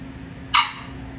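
A pheasant gives a single harsh, rasping squawk lasting a fraction of a second, set against a faint low hum.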